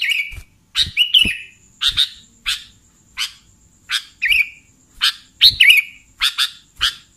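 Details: Sooty-headed bulbul lure call for catching bulbuls: crisp, separate chirps, some with a short downward slide, repeated about twice a second in an uneven rhythm.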